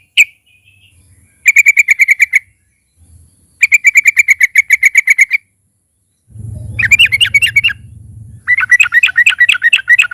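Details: Loud Yellow-vented bulbul (trucukan) song used to encourage other kept birds to sing: two bursts of rapid, identical ringing notes, then rolling chatter with a low hum behind it.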